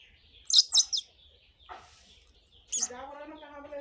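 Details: Indian ringneck parakeet gives a pair of high shrill chirps, then one shrill note leading into a long, steady, nasal harmonic call.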